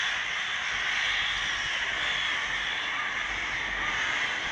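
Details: Crows flocking outside a window on a summer evening, usually silent but here very noisy: a dense, unbroken din of many overlapping harsh caws with no single call standing out.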